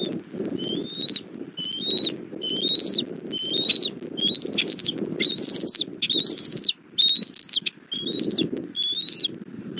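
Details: Bald eagles at a Southwest Florida nest on a camera, evening of 1 April 2024, mother bringing dinner to the chick: about one high, thin, rising whistled note per second, with harmonics, over low wind-like noise.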